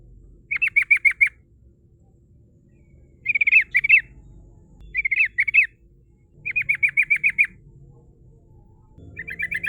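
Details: Rolling 'ngerol' song of a female yellow-vented bulbul, used as a lure for rival birds: five quick bubbling bursts of sharp repeated notes, each lasting about a second, spaced one to two seconds apart over a soft low rumble.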